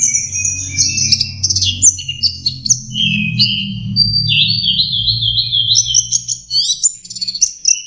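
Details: Practice song of a young orange-headed thrush, a continuous jumble of high whistles, trills and sliding notes, some phrases dropping and rising, accompanied by a steady low droning hum throughout.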